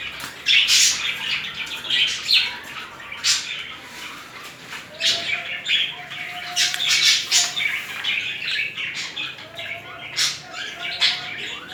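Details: Mating budgerigars showing romantic movements; a long stretch of busy chatter, with harsh chirps, scratchy squawks and warbled notes in waves and brief quieter gaps.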